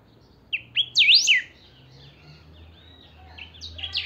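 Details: Captive saffron finch (chiviro) in full song, its recording meant for playing to other chiviros to set them singing: sharp rising notes into loud V-shaped whistled sweeps, followed by softer warbled notes and renewed high sweeps.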